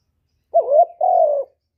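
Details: Spotted dove calling: a single low cooing phrase of two parts, a short wavering coo followed by a longer, smooth, slightly falling coo, in a quiet setting.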